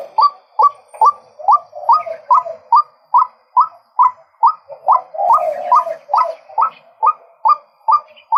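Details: Male White-breasted waterhen repeating short, upward-flicked croaking notes in a steady rhythm of about two and a half per second, with a softer lower murmur underneath midway.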